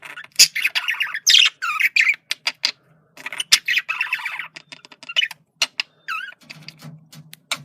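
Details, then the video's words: Male budgerigar communicating with buzzy warbling runs broken by sharp clicks, one upward and downward curving whistle near the end, and a low hum underneath. "sonido de comunicación de periquito macho /sonido de perico australiano/periquitos australianos"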